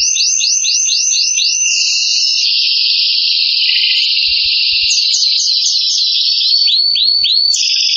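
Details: Excited canary singing a continuous song: quick repeated upswept notes, then long buzzy rolling trills held steady, ending in fast rising notes again.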